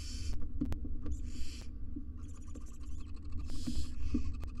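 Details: Wild barn owls, a family of two parents and three nestlings inside a nest box, recorded on a live camera: a few short, harsh hissing bursts over a steady low hum, with scattered clicks and scratching.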